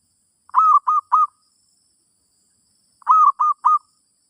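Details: Zebra dove song played to teach a new bird: two bursts of three short, clear, slightly rising cooing notes, the first note longest, bursts about two and a half seconds apart, with no other sounds.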